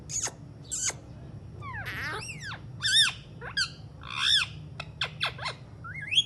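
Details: Alexandrine parakeet talking: a quick run of varied squawky, whistled notes that sweep up and down, some with rich harmonic bands and some short sharp upward slides, spread over six seconds above a low steady indoor hum.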